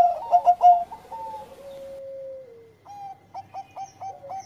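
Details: Engkel song of a Bangkok zebra dove, aimed at raising breeding mood. A loud burst of rolling coos leads into a long sliding low note, followed by a series of short clipped coos at a steady pace.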